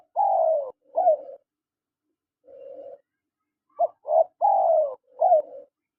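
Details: Male and female spotted doves calling in a quiet place. Strong falling coos and short notes come first. After a pause there is a soft, low hum, then a quick series of clipped coos and another long falling note.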